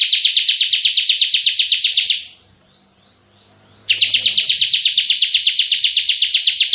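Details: Bar-winged prinia in the tembakan style of an energetic ciblek, meant for luring and tutoring: two long, fast, buzzy rattling trills of regular pulses with a short quiet break between.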